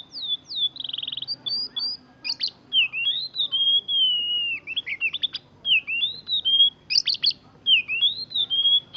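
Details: Oriental magpie-robin singing a varied phrase of loud whistles, slurred and wavering notes, a short rapid trill near the start and sharp clicks between phrases, with little background noise.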